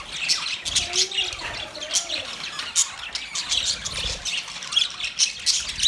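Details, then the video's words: Budgerigars chirping: a dense, continuous chatter of high, quick chirps and short warbled notes, rising and falling in bursts with no pause, with a few faint lower tonal notes early on. "Birds Chirping sound Beautiful Budgies sound"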